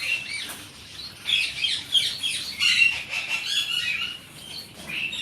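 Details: Silver zebra finches calling together: busy overlapping nasal beeps and bright chirps, rapid and uneven, with occasional fluttering wings between the notes.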